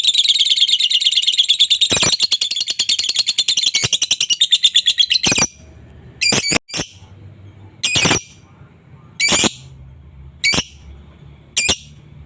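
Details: Lovebird ngekek chattering used as a lure to stir a rival: about five seconds of dense, high, rapid rattling, then isolated loud harsh bursts separated by short quiet gaps.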